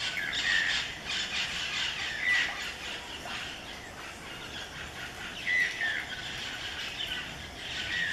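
Robust woodpecker giving harsh, squawky nasal calls, four spaced a couple of seconds apart, over a steady hiss of forest background.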